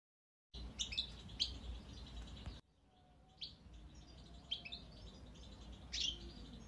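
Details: Goldfinch chick calling with short, high, sharp chirps in a few scattered bursts, quiet against a low steady background hum.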